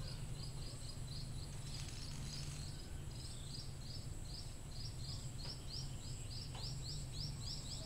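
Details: Thin, high chirps of a scaly-breasted munia, two or three a second in a steady series over a constant low rumble, used as a lure call for munias; munia.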